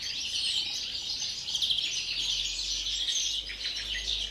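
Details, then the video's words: Before the breeding season, a caged European greenfinch sings an unbroken high chatter of quick trills and scratchy notes, with a low steady hum underneath. "canto del Verderón, precría"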